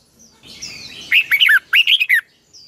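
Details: Red-whiskered bulbul singing in the morning as a lure voice for training: two short groups of three clear, looping whistles separated by a brief gap, over a faint high twittering background.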